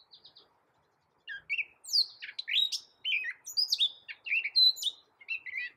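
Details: Gray Catbird, a small loud-voiced bird endemic to America that can imitate a cat, opens with three soft high notes, then a jumbled run of squeaky, slurred and chattering phrases that jump between pitches with short gaps.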